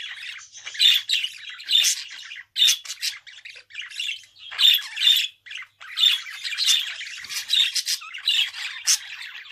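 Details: Budgerigar in continuous lively chatter, a dense stream of scratchy squawks, chirps and brief whistled notes in rapid irregular bursts, with hardly any pause and no other sounds.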